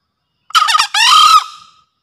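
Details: Green junglefowl (Gallus varius) gives one hoarse two-part crow: a quick rough stutter, then a drawn-out, slightly rising screech that fades. Recording used to prompt captive or reluctant junglefowl to call or to lure birds in forest.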